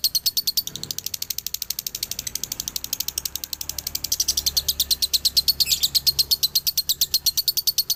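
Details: Dobelan delivered by a male Galendo Ciamis lovebird, an unbroken rapid stream of shrill ticking chirps that start softer and grow louder and fuller toward the end, with a faint low hum underneath.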